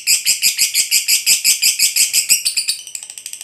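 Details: Fighter lovebird in a ngekek bout, used to provoke other lovebirds: a fast, piercing chatter of about six notes a second that falters and thins toward the end.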